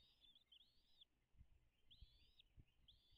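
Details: American bald eagle vocalizing from its nest on Dale Hollow Lake straddling the Kentucky-Tennessee line, recorded by a nest cam 05.03.2022, 09:56; high, thin arching whistles in short runs, with soft low knocks beneath.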